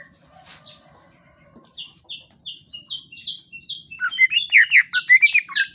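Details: Greater green leafbird starting with a sparse line of thin falling chips that grows louder and denser into a jumble of rich, varied whistled notes.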